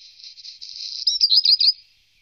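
A Black Redstart sings a high, scratchy, crackling phrase of about a second, then a quick run of bright, twisting notes before falling silent.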